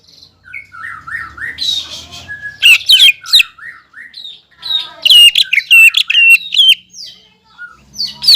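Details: Greater green leafbird in captivity singing to rile a rival leafbird: soft rising whistles lead into dense, rapid series of loud sharp chips and slurred whistles, repeated in fast bursts.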